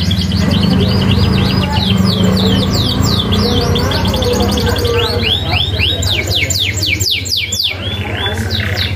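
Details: Canary song for training young canaries: dense runs of rapid downward-sweeping whistles repeated through the whole stretch, loudest near the end, over a strong low hum.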